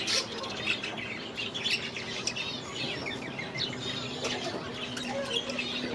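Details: Budgerigars in their aviary give soft, slurred chirps and chattering warbles, many birds calling at once at moderate volume, with a faint low hum in the background.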